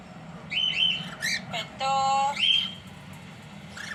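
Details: Cockatiels from a pet pair give clear rising whistled calls and chirps, broken by a flat, steady tonal note about half a second long. A second upslurred whistle follows, over a faint low hum.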